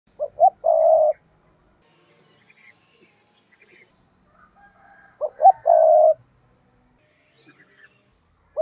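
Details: Spotted dove decoy giving the 'thúc' call used to lure wild doves for trapping: two low cooing phrases, each two short notes then a long steady coo, about five seconds apart, with faint higher bird chirps between.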